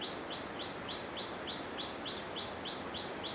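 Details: Hill blue flycatcher recorded at Khun Korn Waterfalls in Thailand in 2012, giving quick high downslurred chips repeated evenly about three per second against a steady wash of rushing water.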